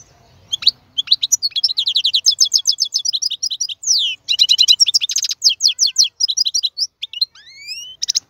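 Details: Male European goldfinch song meant for tutoring young birds: a dense stream of rapid twittering trills and clear tinkling notes, ending with a couple of rising whistled slurs.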